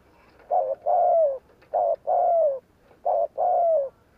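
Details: Close spotted dove giving gù kích lure coos: three paired phrases, each a short coo followed by a longer coo that drops in pitch, roughly every 1.3 seconds.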